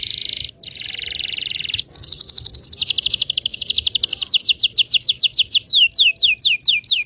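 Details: Canary long rolling song to teach young canaries. A buzzy roll broken by brief gaps gives way to a long, fast, steady series of repeated swept notes over a faint low hum.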